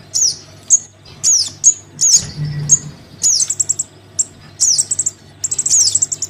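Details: Crimson sunbird young calling to its parent, a lure call: scattered very high squeaky downslurs and short chips, then a denser stretch of quick high twittering, over a faint low hum.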